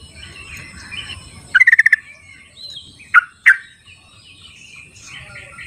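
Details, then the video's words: Sooty-headed bulbul in the wild, played to draw out birds that won't sing: a quick rattling run of bubbly notes, then two separate sharp, falling calls, with quiet chirping of other birds around. "suara trucuk di alam liarnya buat panggilan trucuk yang tidak mau bunyi"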